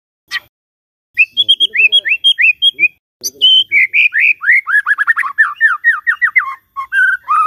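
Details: Morning lure of white-rumped shama song for a bird that will not sing: a single sharp note, then an energetic stream of clear, swooping whistles growing faster and lower toward the end.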